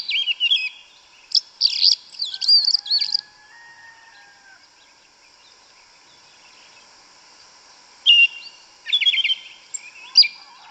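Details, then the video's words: Yellow-legged thrush singing wild in the forest, forest-style 'canto mateiro' song: bursts of high, varied warbled notes and slurs, then a long pause with a faint low whistle in the background, then another run of sweet twittering phrases. "Sabiá Una cantando no mato. Lindo canto mateiro da sabiá preta"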